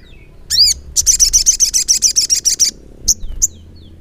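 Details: Ruby-cheeked sunbird (sogok ontong) singing continuously in gacor ngleper style: sharp arched chirps, then a fast run of about a dozen buzzy high notes, followed by two short squeaks.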